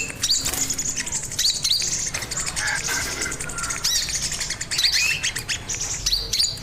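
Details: Master recording of a sogon in song, made for training other birds: sharp high chirps and short upslurred whistles at irregular intervals, with busy scratchy chatter and light background noise.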